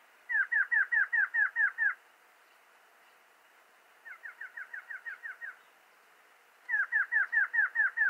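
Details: A Variable Antshrike sings three short bursts of eight or nine nasal, mid-pitched notes at about five per second, the middle burst softer.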